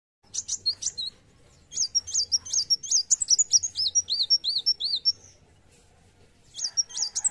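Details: Dark sunbird, locally called kolibri wulung, singing vigorously: high thin arched notes alternating with short flat whistles in a rapid repeated series, a pause, then a fresh burst of the same pattern.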